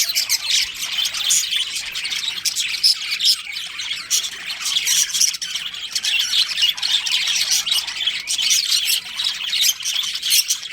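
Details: Budgerigars, a breeding pair within a colony, fill the air with loud, rapid, rasping chirps and chattering squawks, unbroken throughout.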